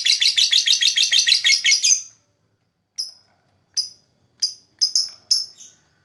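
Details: Lovebird, described as a fighter, chirping to attract other birds: two seconds of rapid shrill buzzy chirps in a fast run, then a few short sharp high chirps spaced about a second apart.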